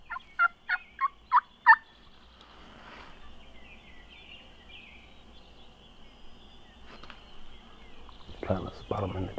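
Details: Wild Merriam's turkey gobbling at daybreak near the roost on public land in South Dakota: a quick burst of about six loud, harsh, rattling notes within two seconds, followed by quieter rustling, faint whistles and a man speaking at the end.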